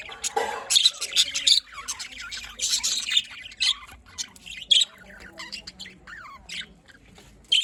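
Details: Budgerigars calling in the morning, 5 November 2023, Larkana, Sindh: harsh squawking bursts and brief chirps, clustered at the start, then sparser scattered calls with quiet gaps.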